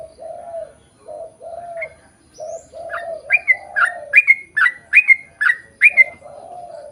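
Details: Sooty-headed bulbul in lure song intended to prompt same-species birds to answer: after low dove-like coos, a run of bright, bubbly chirped notes repeating about twice a second, then cooing resumes.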